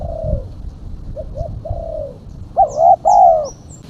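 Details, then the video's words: Female spotted dove giving a lure call: soft drawn-out coos, then a loud two-part rolling coo near the end. Faint high-pitched chirps from other birds overlap the final phrase. "Suara burung tekukur betina /pikat tekukur betina"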